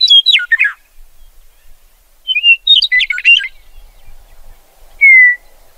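A meadowlark gives rich, slurred whistled phrases mixed with quick jumbled notes, two bursts about two seconds apart, then a single clear descending whistle.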